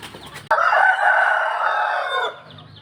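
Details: A rooster crows at dawn, one long loud harsh crow held steady for nearly two seconds before it drops away, with faint background noise before and after.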